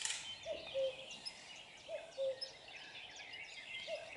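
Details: Common cuckoo recorded in close up, giving its two-note cu-coo call three times, a higher short note falling to a lower held one, with a busy chorus of other songbirds chirping above.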